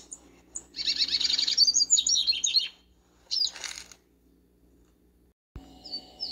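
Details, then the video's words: Double-collared seedeater singing in a backyard: a loud, dense, buzzy twittering phrase of rapid high notes for nearly two seconds, then a shorter scratchy burst after a pause, with a few thin chirps at the end. "Papacapim no quintal"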